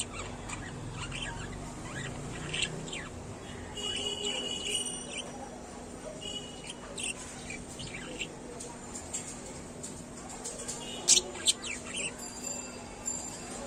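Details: A female budgerigar talking and singing to herself in a mirror chatters in a fast, scratchy warble of squeaks, clicks and quick rising whistles.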